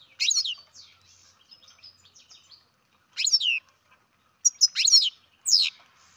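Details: Captive-bred baby European goldfinch calling: sharp, high, downward-sweeping chirps in short bursts, with soft thin twittering between them and pauses of about a second.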